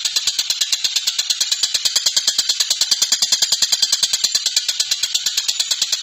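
A collared kingfisher gives a fast, harsh, high chattering, about ten scratchy notes a second, running steadily without a break.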